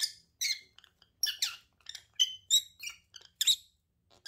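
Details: A pair of lovebirds calling indoors: shrill, squeaky chirps in quick uneven bursts, about one per second, some rising and falling sharply, the sharp notes overlapping.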